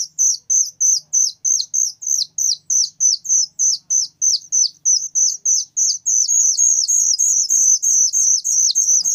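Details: Very loud whistling thrush chick calling: a fast, steady series of high, thin, downslurred notes, about three per second, merging into a continuous run near the end; no other clear sounds.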